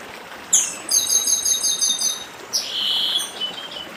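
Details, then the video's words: Dedim-style song of a papa-arroz do Nordeste, the chestnut-bellied seed finch, by a stream: a quick high slur, a fast trill of paired buzzy notes, then a second rising slur and a sustained hiss-like phrase, with trickling water throughout. "Papa Arroz Dedim com Som de Riacho (Papa arroz do Nordeste)"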